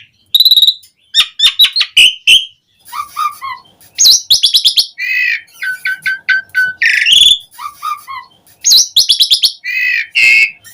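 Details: Gacor full-isian song of an Asian pied starling, played to prompt captive starlings to sing: dense chatter of clicks, repeated whistled trills and rising slurs in bursts, broken by brief silences.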